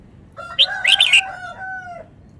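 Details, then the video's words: Red-whiskered bulbul from Vietnam in fast song: a short burst of loud, chirpy warbled notes followed by a sustained, slightly falling whistle, heard over a faint low hum. "นกกรงหัวจุก จ้าวมาเฮง นกเวียดนาม ร้องรัวรัว"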